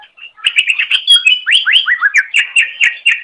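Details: Greater green leafbird song intended for tutoring other cage birds, a continuous run of rich warbling whistles with swooping upslurred notes and rhythmic repeated phrases.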